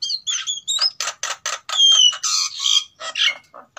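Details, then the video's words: Breeding-condition pair of captive white-necked mynas, male and female from Sulawesi, in full song: clear whistled notes open, then rapid harsh rasping bursts mixed with a long falling whistle and buzzy chatter. "Suara Pancingan JALAK KEBO GACOR Jantan vs Betina Sama-Sama Gacor"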